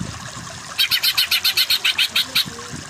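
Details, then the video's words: Training song of a greater green leafbird, meant to push less powerful birds into vigorous singing: a steady run of about eleven evenly spaced, sharp high chips, each short and clipped, against quiet hiss. "Masteran Burung Cucak Ijo yang Kurang Power Jadi Kejer Kejer"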